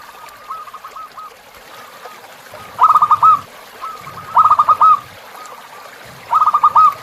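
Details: A zebra dove coos over the gentle sound of a river, for tutoring captive birds: soft trailing notes alternate with three loud, quick bubbling phrases spaced about 1.5 seconds apart.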